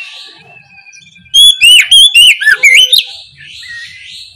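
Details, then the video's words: Oriental magpie-robin delivering a ngeplong lure song at morning: after soft background twitter, about six loud clear whistled notes with slurred upward and downward turns come in quick succession, then fading faint chatter. "KICAU PANCINGAN KACER NGEPLONG DI PAGI HARI, BUAT PANCINGAN KACER Malas bunyi supaya LEKAS NYAUT!"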